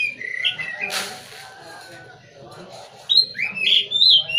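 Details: Caged white-rumped shama, a prized songbird, singing in bursts: a few whistled notes near the start, a broad noisy burst, then a loud run of sliding, warbled whistles at the end over a low background hum.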